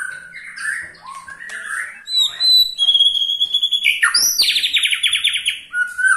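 A white-rumped shama mixes clear high whistles with a fast, dry, chattering rattle that runs for about a second.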